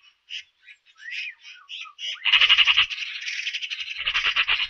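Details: Eurasian magpie starting with a few soft, scratchy, squeaky notes, then breaking into a loud, fast, grating rattle that runs on for over two seconds, a continuous harsh chak-chak series, recorded clean with nothing else audible.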